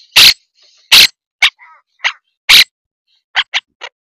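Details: Tampa Bay, Florida monk (Quaker) parakeets giving loud, rasping squawks spaced under a second apart, with a brief softer warbled note and a quick run of three shorter clipped calls near the end.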